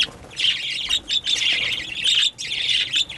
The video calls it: Birds Making Loud Noises